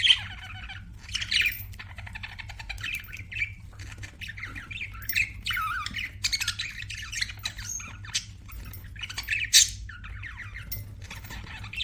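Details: Budgies chirping and squawking in a long, busy chatter of rasping, warbled notes and sudden shrill peaks, the birds calling almost nonstop above a low hum.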